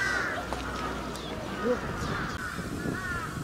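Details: Grey crowned crane (Balearica regulorum) at Chiba Zoological Park, Japan, 20 October 2018, giving harsh, nasal honking calls that run together over a few seconds, against a steady murmur of background noise.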